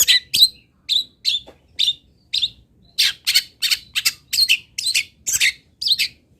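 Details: Long-tailed shrike, a local cendet from Pati, Indonesia, in a master recording. Well-spaced rasping chirps speed up after about three seconds into a dense, scratchy chatter of loud broadband notes.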